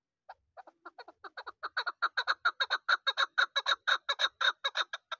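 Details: Young hunting chukar partridge of this season calling: scattered chuk notes build into a fast, steady run of loud, harsh clucks, about three to four each second, growing louder throughout.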